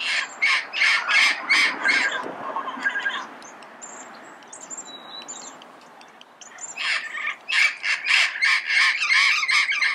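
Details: Red-crowned amazon, or red-crowned parrot, calling early in the morning in Pasadena: loud, harsh squawks in rapid bursts, a quieter pause mid-way, then another fast run of raspy notes, with thin high chirps from other birds.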